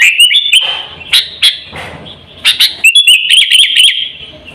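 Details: Sooty-headed bulbul lure call for luring birds and training captive birds: separated sharp chirps with pauses, then a closing burst of rapid bright chirps.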